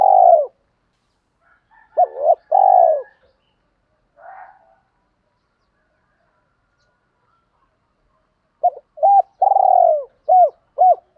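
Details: Spotted dove cooing as a lure to stir wild doves to answer: short bursts of mellow, low coos separated by long silent gaps, with a quiet rough call between them.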